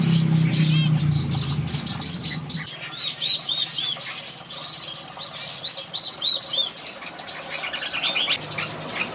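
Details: Red-whiskered bulbul singing and playing in a bird aviary: low wing flapping opens, then short arched whistled notes in quick runs of three or four, over steady high chirping from other birds.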